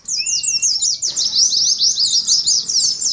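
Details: Oriental white-eyes singing together, meant as a training recording for caged birds kept in groups: a dense, rapid stream of high thin twittering notes, rising and falling, with several birds overlapping.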